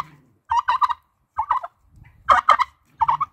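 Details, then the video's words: A turkey gobbles in four rapid, rattling bursts, each a quick warbling run of notes about a second apart, with faint human voices and laughter. "EL GUAJOLOTE"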